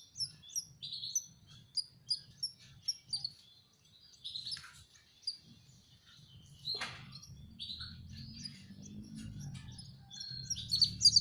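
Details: Young canaries being hand-fed give regular high, squeaky chirps, then fall quieter amid clicks. A rising low rumble and a final flurry of chirps follow.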